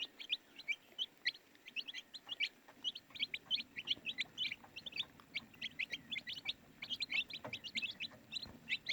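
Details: Chorus of baby chicks peeping nonstop, quick bright chirps stacked closely together, many birds calling at once with no pauses, some soft low background noise.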